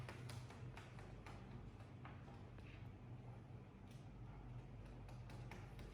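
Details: Soft repeated tapping clicks over a steady low hum, with no animal calls.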